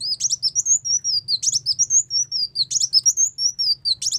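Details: Ruby-cheeked sunbird, trapping-lure recording: a steady, high twittering of short whistled notes, rising and falling, with a sharp buzzy chip cluster repeating about every 1.3 seconds; soft low hum underneath.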